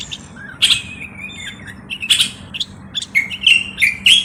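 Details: Moroccan common bulbul delivering short whistled notes and rising-falling slurs, sparse at first and then quickening near the end, over a low hum.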